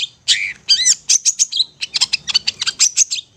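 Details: Long-tailed shrike song used as a master recording for young hand-fed birds: dense, rapid chatter of high, scratchy notes mixed with a few squeaky whistles, packed closely together.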